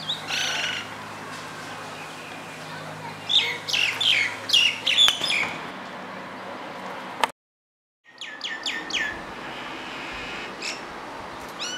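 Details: Common myna singing amid steady background hiss: scattered chattering and whistled notes, a cluster of harsh squeaky phrases midway, a brief silence, then a fast series of sharp repeated notes.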